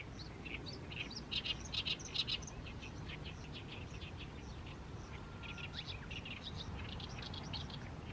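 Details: Oriental reed warbler keeps singing in the evening sun over a fallow rice field in mid-May: rasping, loud repeated notes in a quick burst, followed by softer chattering phrases and a thin whistle, over low background noise.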